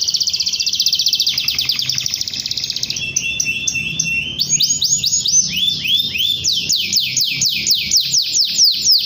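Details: Canary in full song, used as a lure recording that calls a rival and stirs young canaries to sing; a fast buzzy high trill gives way to repeated whistled notes, then a quick series of sharply descending sweeps.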